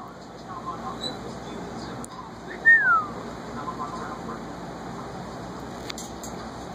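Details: A pet cockatoo whistling happily: a single clear whistle that slides downward, lasting under a second, over a faint steady background hum.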